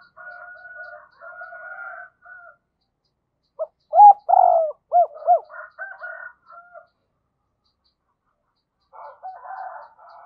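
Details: Decoy spotted dove giving double-voiced calling coos meant to provoke wild doves: low hollow coos in short bursts with a loud, rapid run of rounded notes in the middle and softer, fuzzier cooing before and after.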